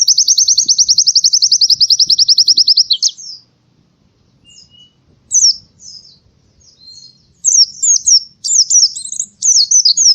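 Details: Morning song of an Oriental white-eye: a long steady trill of rapidly repeated high notes for about three seconds, a quiet gap with faint chips, then bursts of quick jumbled twittering.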